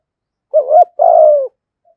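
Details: Spotted dove used as a decoy, singing in the 'thổ' style: one phrase of a wavering double coo followed by a longer, steady, slightly rough coo that drops at the end; otherwise silent.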